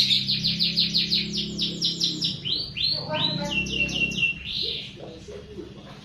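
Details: White-rumped shama, a species noted for melodious song and for mimicking other birds, heard in a lure recording for caged birds: rapid repeated high notes, then several arching slurred whistles with a brief chatter, over a low hum.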